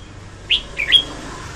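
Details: Song of a female red-whiskered bulbul, used to lure birds into traps: a brief, thin whistled note followed by two quick chirpy notes, softer against faint background hiss.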